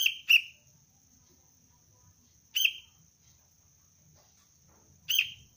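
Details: Sooty-headed bulbul chick calling its parent, in basic training as a lure bird: short harsh high squeaks, a quick pair then single calls about every two and a half seconds, over a steady thin high whine.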